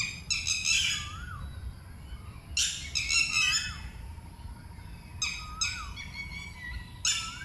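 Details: Red-wattled lapwing near water in Phutthamonthon Buddhist Park, Thailand, guarding its young chicks and giving loud screaming alarm calls as a person approaches: harsh, high, multi-note bursts repeated every two to three seconds, with a faint steady tone between.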